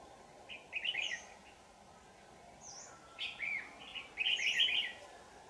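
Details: Red-whiskered bulbul at a bird trap, recorded 4 January 2018: short warbled, chattering phrases around one second long, a quiet gap, then a longer burst of bright whistled notes, over steady background hiss.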